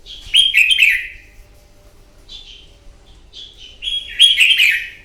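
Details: Wild-caught red-whiskered bulbul singing its combative morning song for bird training: bright, bubbly warbled phrases that slide downward, a loud opening burst, short whistled notes in the middle and another rich phrase at the end, in clean quiet surroundings.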